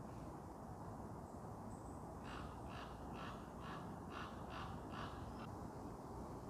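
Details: Common raven in woods off the Spaniorum skyway, Bristol, giving its deep, throaty krark: a quick run of about eight short, harsh calls over three seconds, close by and flying overhead, against a steady low wind rumble.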